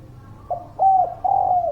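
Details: Spotted dove (derkuku) hooting to stir silent birds into song: a short low note, then two steady, smooth coos, the second long and sliding downward at its end.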